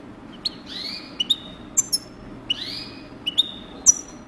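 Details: Breeding European goldfinch calling clearly: two long rising whistles, each followed by short high clipped notes and sharp ticks, in a quiet setting with a faint low hum.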